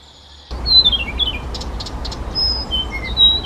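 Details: Blyth's reed warbler (Acrocephalus dumetorum), one of a set of Czech bird songs, sings unhurried, high, thin whistles, some slurring downward, mixed with quick clicking notes, over a steady hiss of background noise.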